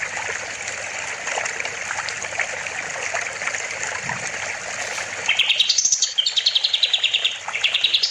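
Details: Rushing water fills the first part, then a kapas tembak bulbul, recorded as a master for other songbirds, bursts into quick repeated chips and a high rising whistle over the continuing trickle.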